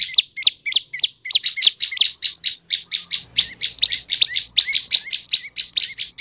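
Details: Prenjak lumut tailorbird lure song: a fast, even string of sharp high notes, several per second, meant to draw male and female tailorbirds into singing, with faint low background noise.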